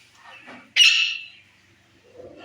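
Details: Rose-ringed parakeet, a pet talking ringneck from Pakistan, gives one loud harsh squawk lasting about half a second, with faint murmuring sounds before and after.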